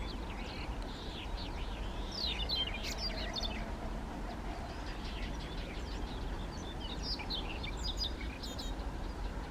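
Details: Siberian rubythroat song recorded handheld in Kushiro on 3 July 2019; lively, scratchy warbling phrases of quick high notes and sliding whistles, with a constant low engine-like rumble underneath.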